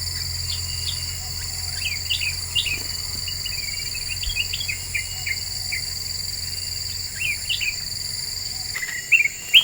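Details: Black-winged bulbul, presented as a very active lure song said to provoke other birds; short upward-flicking chirps and whistled notes repeated irregularly about twice a second, over a steady high buzzing of crickets and insects.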